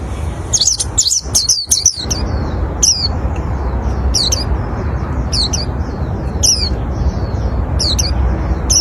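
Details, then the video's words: An oriental white-eye sings to bring in others of its kind: a fast cluster of high chirps at first, followed by isolated thin tweets repeated roughly every second. "Kicauan pleci ini sangat. Cocok untuk memancing pleci lain"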